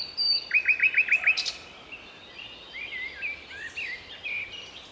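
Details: Common nightingale singing in a city park in Strzelce Opolskie, Poland, in May 2012: a fast run of six identical upslurred whistled notes, a brief broadband rattle, then quieter warbled phrases with other birds faint behind.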